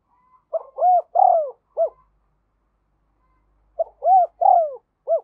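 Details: Spotted dove used as a lure for wild doves, cooing two matching phrases about three seconds apart, each a quick lead-in note, two rounded swelling coos and a short closing note, clear against a quiet background.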